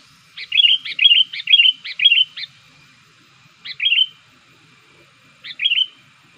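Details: Young sooty-headed bulbul kept as a lure bird, already singing actively to draw wild bulbuls close. It gives bright, bubbly chirped phrases: a rapid run of five, then two single phrases after pauses, in an otherwise quiet setting.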